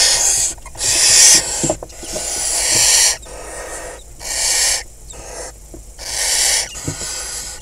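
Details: At a barn owl nest box among crop fields in the Hula Valley, northern Israel, late May 2020, a male delivers prey and mates with the female. Repeated rasping, hiss-like screeches last one to two seconds, with faint clicks between.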